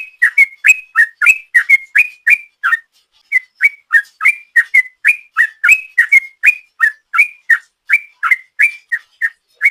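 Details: Yellow-vented bulbul in rapid-fire ropel song used as a lure: loud, clear whistled chirps repeated about three times a second in a long, steady run with one brief pause.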